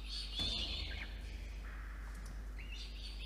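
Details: Peregrine falcon chick begging for food brought by the adult male, water-tower nest box, Orange, NSW, Australia, evening of 5 November 2021; a loud scratchy wail, a softer lower whine, then a rising squeal.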